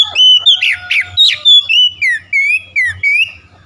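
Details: Oriental magpie-robin morning lure song meant to spur sluggish birds into singing: loud, varied whistled phrases with sharp sweeping notes, then a run of wavering rising-and-falling whistles, over a steady low hum.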